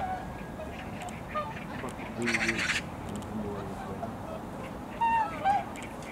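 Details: Korean wintering flock of whooper swans, loud birds that gather on wetlands and rivers; scattered nasal honks from several swans, a short broadband burst of noise, then two louder bugling honks near the end.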